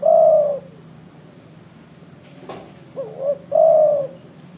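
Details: Spotted dove, said to have a big voice and to call freely: a long, low, steady coo, a pause with a brief click, then a short wavering double coo and another drawn-out coo, over a faint low hum.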